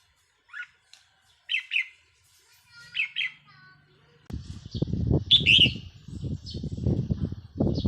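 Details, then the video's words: Red-whiskered bulbul as a decoy bird, 4 May 2023: clear, short warbled phrases in the first half, then a loud, sweet phrase over heavy rumbling, rustling noise. "เสียงนกต่อ นกกรงหัวจุกแก้มแดง"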